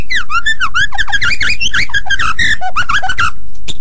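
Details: Very active white-rumped shama song for training other birds: fast, tumbling sequence of warbled, slurred whistles in quick succession, ending abruptly.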